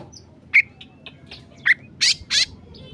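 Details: Agitated oriental magpie-robin used as a tutor recording: scattered short notes, a high whistled chip, then two loud harsh rasping bursts near the end over a low background hum.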